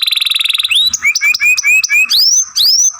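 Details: Young canary masteran song: a fast pulsing trill gives way to a string of short rising whistles repeated about four times a second, closing with two loud upswept notes.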